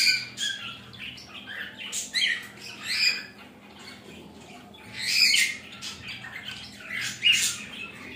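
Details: A budgerigar mother and her baby chatter with scratchy, squawking bursts of high warbles, irregular and rising and falling.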